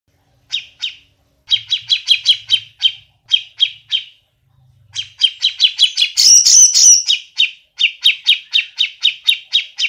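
A Grey-cheeked Bulbul gives runs of short, rough mid-pitched notes, about two per second, with a brief harsher, noisier burst near the end.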